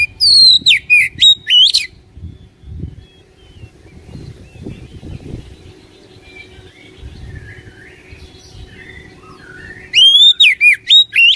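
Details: Oriental magpie-robin lure song to make a caged bird sing: brief bursts of quick, bright whistles at the beginning and end, separated by a long stretch of low rumbling background noise and faint twittering.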